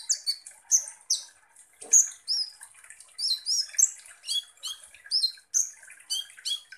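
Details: Used as a provoking lure for konin birds, this Van Hasselt's sunbird sings a steady stream of thin high downslurred whistles and scratchy chips, delivered in quick short phrases with little pause.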